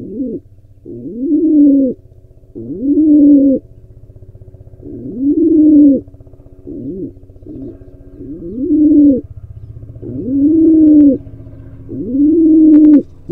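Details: Repeated low bowing coos from a wild pigeon still trying to breed on an Israeli owl-and-pigeon nest cam, each note sliding up then level, irregularly spaced, with a steady background hum.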